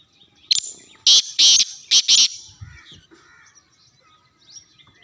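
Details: Black francolin in Sindh, Pakistan, giving its loud harsh grating call: a rapid burst of about five rasping notes in just over two seconds, followed by faint softer bird notes in the background.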